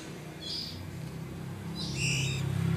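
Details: Oriental magpie-robin chicks a few weeks old, being hand-fed, give two brief bursts of high, harsh begging calls about a second apart, over a steady low rumble.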